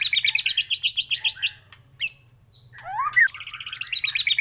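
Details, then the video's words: White-rumped shama morning lure song: a quick series of high, metallic repeated notes, a short gap with a single sharp note, then a swooping whistle leading into another rapid high trill. "pANCINGAN masteran pagi agar MURAI BATU gacor!!!"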